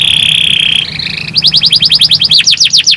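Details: Canary song to encourage other canaries to sing: a steady pure whistled tone, then rapid loud repeated swooping notes, about eight per second, bright and rhythmic, with a faint low hum.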